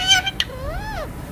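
A parrot gives a short, harsh scratchy burst, then a drawn-out nasal wail that rises and falls over about half a second.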